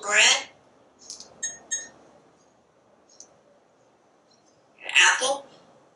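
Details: Pet parrot on its screened back porch, eyeing squirrels and birds, lets out a short harsh word-like squawk, three soft chirps, a long pause, then another rough spoken-sounding burst.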